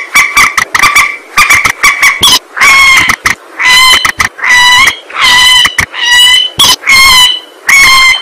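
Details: Swamphen lure call used to attract the birds: loud, nasal, harmonic calls in rapid bursts, first short clipped notes, then longer drawn-out wavering honks repeated roughly every half second, with no other sounds.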